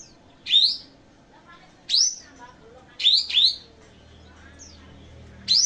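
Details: Kapas tembak singing loud ringing upsweeping whistles, a quick double burst near the middle, with brief soft notes and faint background murmur between phrases.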